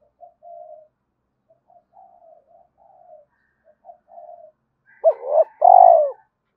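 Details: Spotted dove used as a lure to call other doves: soft distant coos for five seconds, then two loud close coos, a short arched note and a long rolling one, with faint higher notes above.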